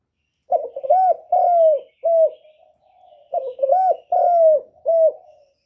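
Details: Spotted dove used as a decoy to attract wild doves, giving two matching coo phrases: quick broken notes, an arched coo, a long falling hoot and a brief closing note, with faint murmuring between them.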